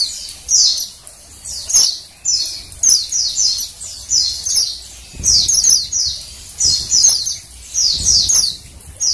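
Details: Female Oriental white-eye calling, used to stimulate males to sing; high thin descending chirps in paired or triple bursts, repeated roughly every second, with faint low background rumble.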